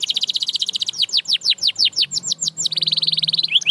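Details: Canary trilling fast, then slowing into separate downward whistled sweeps before a rapid bubbling roll, bright and high.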